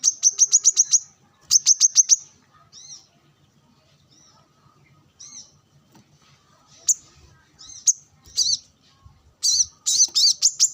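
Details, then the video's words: Sunbathing brown-throated sunbird calling to rivals among wild birds: quick trills of high, clipped chirps, then scattered single high notes and a closing run of loud, bright chattering phrases. "Kolibri kelapa | manggar gacor narung bersama burung liar"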